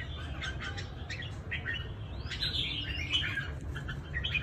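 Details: Red-whiskered bulbul, a trap-fighting bird from Cao Bằng, Vietnam: a run of short clipped chirps, then slurred rising and falling whistles and warbles, with constant low background rumble throughout.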